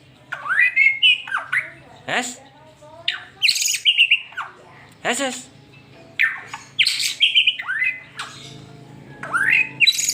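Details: White-rumped shama in rapid 'super speed' song, played to make a pet shama sing: swooping whistled phrases alternating with harsh, scratchy broadband notes, delivered about four per second, above a constant low hum.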